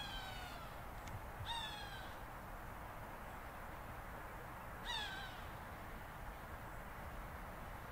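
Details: Hawk agitated by newly arrived buzzards, calling with raspy, downward-slurred screams: two close together near the start, then a pause of over three seconds before another, all over constant low background noise.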